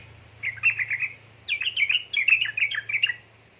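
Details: Yellow-vented bulbul female calling the male, meant to spur reluctant birds to sing; two lively phrases of bubbling, chattering notes, the second longer and louder, with a steady low hum underneath.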